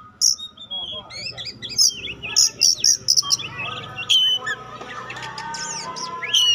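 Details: Song of an Oriental magpie-robin of the kacer pastol type, used to test other magpie-robins: sharp high whistles, quick chattering notes in a rapid series and twisting slurred phrases, with a steady background hum.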